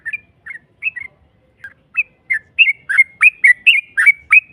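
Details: Yellow-vented bulbul used as a lure to make a rival answer. It opens with a few spaced, bubbly double notes, then speeds into a loud, rapid string of slurred whistles ending in a drawn-out note.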